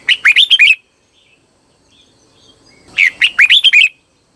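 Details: Red-whiskered bulbul decoy singing meant to attract wild birds: two brisk phrases of bright chirping whistles, each under a second, rising and falling, with a pause of about two seconds between them.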